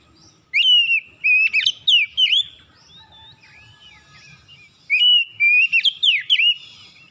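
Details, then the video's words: Oriental magpie-robin (kacer) morning song, played as a lure to make a reluctant bird sing: two bursts of loud, clear whistled notes with rising and falling sweeps and sharp chips, separated by a quiet pause of about four seconds. "PANCINGAN PAGI KACER SUSAH BUNYI LANGSUNG GACOR NGOTOT BONGKAR ISIAN"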